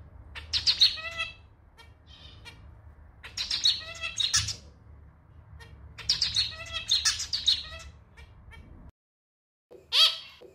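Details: Male zebra finch in captivity singing his own unique clarinet-style song, likened to a slightly out-of-tune little clarinet; two dense bursts of nasal, harmonic-stacked notes and buzzy elements with pauses between, then a short final phrase.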